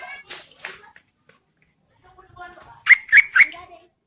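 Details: Yellow-vented bulbul female calling to attract males in the rainy season: three loud, sharp, bubbly chirps in a rapid run after softer harmonic notes and a quiet pause.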